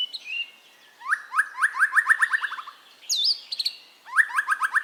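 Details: White-rumped shama (murai) relaxed song, used to coax caged birds into singing: short whistles, then fast strings of sharp, downward-slurred notes repeated about ten times per second, broken by one high wavering whistle before another rapid string.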